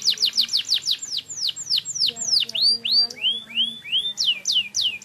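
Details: Semi wiper style canary song: a quick string of steeply falling whistles slowing into broad, arching whistled notes, then sharp falling notes again, each about a third of a second apart.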